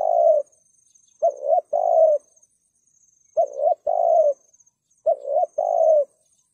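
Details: Spotted dove giving the thúc gù cooing style, used to lure wild birds: paired low coos, a short clipped note then a longer steady one, each pair about every two seconds; a faint high steady whine continues throughout.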